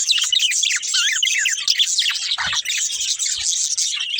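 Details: Pet budgerigars in a family group chirping busily, quick rising and falling warbled twitters layered densely, with faint low bumps around the middle.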